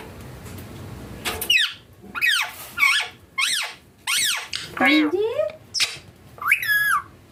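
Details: Green Indian ringneck parakeet kept indoors with its owner, giving a rapid series of sharp, harsh, steeply sweeping screeches in short bursts about every half second to second, with a woman's voice briefly heard between calls in a small room.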